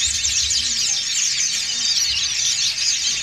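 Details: A crowd of white-eyes, dakun and montanus kinds, in a group ngriwik chorus, a thick unbroken wash of shrill, rapid twittering notes with no single bird standing out.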